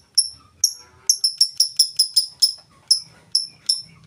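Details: Lovebird singing the 'ngetik' style, pure ticking with no 'ngekek' chatter, meant to prompt other lovebirds to sing. About fourteen crisp, high ticks, with a rapid even run in the middle and slower spaced ticks on either side.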